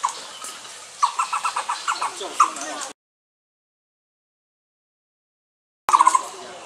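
Taiwan barbet giving a quick run of about eight hollow, low notes, then after a pause a brief rapid burst, over a steady traffic-like hiss.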